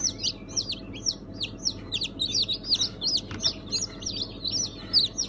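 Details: Dense peeping from day-old chicks of mixed breeds, including Brahma, Sultan, İspenç and Ameraucana, hatched 1 September 2019; loud, piercing downward cheeps follow one another several per second, with a low constant hum behind.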